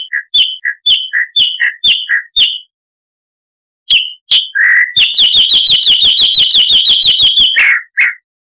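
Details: Chalk-browed mockingbird singing harshly, as a tutor for cage birds: paired chirps repeated about twice a second, a pause, rough notes, then a fast, even, rattling trill of sharp notes for nearly three seconds.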